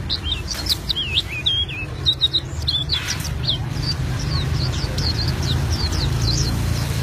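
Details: An albino white-eye sings a fast, high, rolling twittering song of short looping and rising whistles, run together in a continuous roll over a steady low hum.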